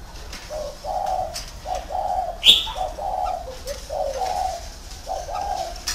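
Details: Decoy spotted dove in a round cage giving a series of soft, short coo phrases, each rising into a slightly longer note, with a sharp click partway through and faint background hiss.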